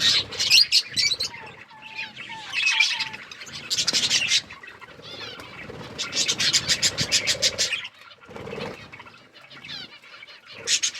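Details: Budgies eating food and playing, producing bursts of high scratchy chatter, short whistled notes and rapid clicking chirp series separated by brief quiet gaps.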